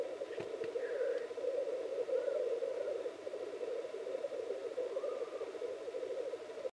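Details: Male black grouse at a dawn lek in Finland, posturing and fighting, keep up a low, continuous bubbling coo, with a few faint higher whistled notes over the chorus.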